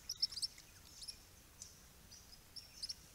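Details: Critically endangered Swift Parrots visiting in April 2022, a flock of up to nine birds including at least two immatures: sharp, high metallic pips given in quick clusters, a burst at the start and more near the end, over a soft low hiss.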